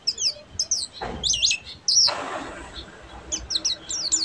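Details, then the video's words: High, slurred twittering of a buxtomi Oriental white-eye in ngeriwik song, interrupted midway by two bursts of broad rustling noise before the thin chirps resume. "SUARA BURUNG‼️PLECI BUXTOMI FULL NGERIWIK"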